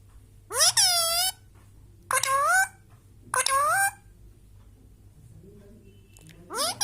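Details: Pet Indian Ringneck Parrot indoors giving three loud harsh, buzzy squawks about a second apart, then a pause and a final squawk, over steady low background hum.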